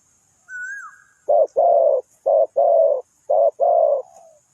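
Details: Spotted dove used as a decoy for bird trapping, linked to Ninh Thuận; a brief whistled note, then six loud, deep, rough coos in short and longer blocks, closely spaced over about three seconds, on a quiet background.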